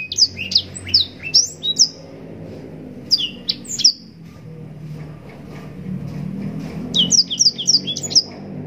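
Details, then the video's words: A yellow-rumped seedeater (blackthroat) sings long-running bursts of high, sweet, rapidly slurred notes with brief pauses between phrases, over a low background hum, recorded as a song for training other birds. "Blackthroat gacor nembak panjang cengkok mewah full durasi panjang‼️blackthroat bird sound"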